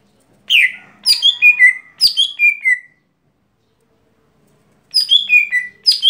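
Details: Lesser green leafbird singing its everyday song. Bright, whistled notes cascade downward in two linked phrases, then a silence of about two seconds before another falling run begins.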